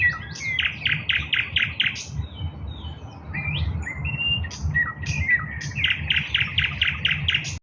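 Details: Eastern nightingale singing on 16 May 2024: a fast run of loud, sharp repeated notes, a short pause with a few rising and level whistles, then another rapid repeated burst, over a steady low rumbling hum.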